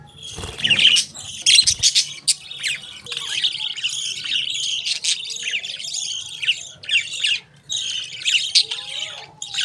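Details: Budgerigar chatter: a steady, busy warble of high chirps, scratchy notes and rapid twittering that runs almost without pause, broken by a few sharp clicks at the start.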